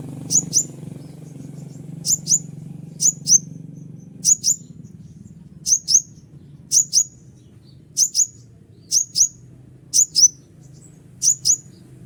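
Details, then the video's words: Steady series of konin (Scarlet-headed Flowerpecker) calls, used to lure wild konin: crisp, very high double notes, each pair about a second apart, eleven pairs in all, over a faint low hum. "suara asli panggilan burung konin untuk pikat konin liar ampuh"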